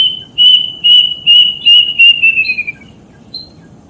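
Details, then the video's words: Plaintive cuckoo song played as a lure to prompt caged birds to sing: about seven clear whistled notes on one pitch, roughly two per second, the last few sliding lower and running together. "Burung Kedasih bakal buka paruh dan gacor"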